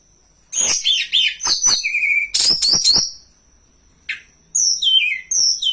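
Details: Hill blue flycatcher singing for use as a lure and training tutor: fast tumbling phrase of scratchy notes and a clear level whistle, a pause, then high descending slurred whistles, with a faint steady high hum throughout.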